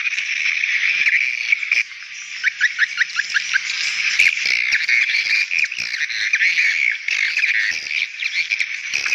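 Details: Swiftlets calling to lure young birds: busy high chirping with a quick descending series of clear notes and scattered sharp clicks over a steady twitter.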